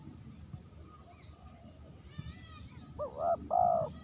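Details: Spotted dove calling for use as a lure: after scattered high chirps from other birds, a clear two-part coo ends the clip, a short lead note and a longer held tone.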